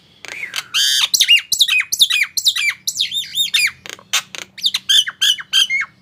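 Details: Nias hill myna singing, played to prompt silent mynas to start singing: a busy run of loud whistled and squawking notes, many swooping down then up, repeated rapidly with short gaps.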